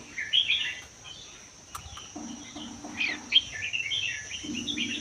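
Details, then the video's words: Red-whiskered bulbul from the wild Vietnam–Laos border forests, caged for one year, singing an 80% doubled song meant to get other bulbuls singing; chattering warbled phrases over a low droning hum and a high steady whine. "นกกรงหัวจุกป่าเวียดลาว ชำใว้1ปี เบิ้ล80% เปิดกระตุ้นนกฟังนกร้อง"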